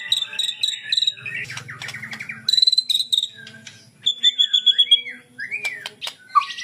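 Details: Sunda bulbul giving sambung cililin style song, a busy jumble of whistled slurs, sharp high chips and short rapid trills, with brief steady high notes and abrupt pitch jumps throughout.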